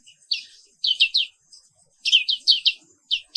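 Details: Morning song of a black-capped white-eye, a species found only in Indonesia: short bright downslurred chirps, some in quick pairs and triplets, separated by brief pauses.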